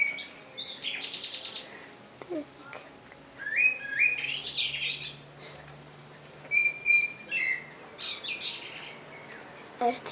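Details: Several separate phrases of Common blackbird song, mellow whistles with some higher twittering, spaced by pauses; other soft clicks and rustling sounds occur in between.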